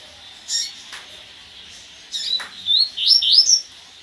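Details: Double-collared seedeater singing in the Gasparzinho song style: scattered faint chirps, then a quick run of high, bright, rising and falling whistled notes in the last second, over low background hiss.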